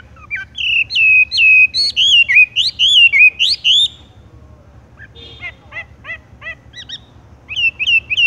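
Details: Horsfield's bush lark singing in the tung roll style: a rapid run of loud slurred whistles swooping up and down for about four seconds, a short pause, then sharper clipped notes and brief repeated chirps.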